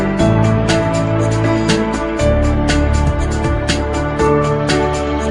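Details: Soft instrumental background music with regular beats and sustained tones fills the recording, with no animal voices heard.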